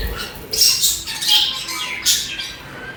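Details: Chattering pet budgies give loud, scratchy, high squawky chirps with brief whistled tones, in rapid bursts about half a second apart.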